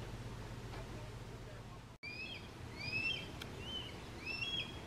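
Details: A juvenile Red-tailed Hawk crying for its parents gives thin, high, slurred whistles, some rising and some falling, several in quick succession after a brief break, over a low outdoor rumble.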